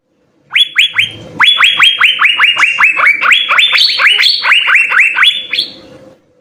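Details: Asian fairy-bluebird, actively singing in the full-fill style: bright, quick upward-slurred whistles are strung together for about five seconds, stepping higher midway, then fade out.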